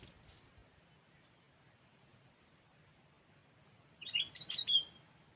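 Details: Sooty-headed bulbul in cengkeram style for luring birds: after several seconds of quiet background hiss, one short, loud, liquid warbled phrase bursts out near the end.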